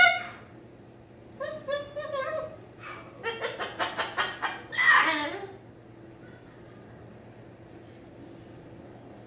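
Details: A cockatoo left alone as its owner leaves the room gives wavering, laugh-like calls, then a quick run of about eight chuckling bursts ending in one loud, harsh screech; a quiet indoor room otherwise.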